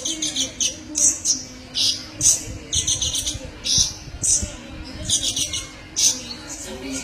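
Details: Kolibri ninja sunbird song for training other birds: bursts of high, sharp chirps and trills, repeated roughly every half second to second with brief pauses between phrases.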